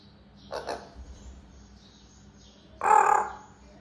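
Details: African grey parrot imitating a cat's meow and a rooster's crow; a short harsh burst near half a second, then a louder, broad, nasal call lasting about half a second near the end, over a quiet low hum.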